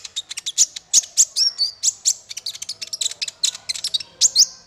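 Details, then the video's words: Energetic male brown-throated sunbird song for songbird training, a nonstop chatter of very high, sharp chirps and short slurred whistles. "Suara konin untuk masteran burung 100%jitu konin jantan"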